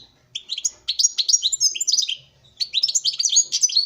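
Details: A male European goldfinch sings in front of a female in captive breeding. The song is a quick, tinkling twitter of high, rapidly varied chirps and trills, broken by one short pause midway.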